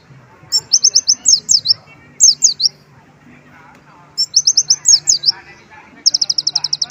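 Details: Sunbird singing with imitated white-eye phrases: short runs of quick, high, descending slurred chirps in groups of three to six. A phrase ends in a fast, even trill of rapid high notes.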